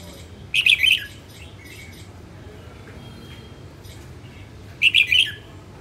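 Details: Female red-whiskered bulbul from the north in song practice: two short bursts of rapid chirpy notes about four seconds apart, with faint softer calls between and a low hum.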